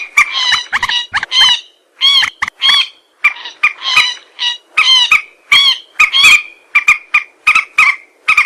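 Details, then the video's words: Common moorhen calls played as a hunting lure: harsh, croaking notes with strong harmonics, given in quick clusters of two to four bursts separated by brief silences, loud and close, with no other sounds. "Moorhen bird hunting voice 2024 | Moorhen birds best sound | Jal morgi ki awaz"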